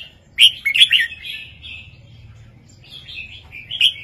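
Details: Caged red-whiskered bulbul singing a southern-style 3-4-5 master song to excite listening birds: an abrupt loud chirpy flourish, then a drawn-out warbled whistle, a short pause, and rising whistled notes.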